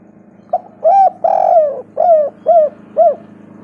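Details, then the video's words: Spotted dove (tekukur) cooing as a lure for other doves: a soft introductory note, then a rhythmic series of rounded coos, with one longer note, about two per second over faint background hum. "Pancingan tekukur derkuku malas bunyi cepat gacor rajin bunyi suara bening pol"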